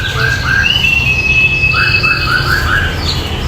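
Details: White-rumped shama singing clear, sweet whistles: short rising notes, then one long steady high whistle, then a run of lower slurred whistles, over a steady low rumble of background noise.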